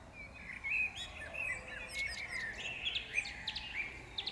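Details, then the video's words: Wild birds in song at Powsin Botanical Garden, May 2016, giving a continuous twittering warble of quick high notes with sharp chip calls scattered throughout, several singers overlapping over a soft hiss. "śpiew ptaków maj 2016"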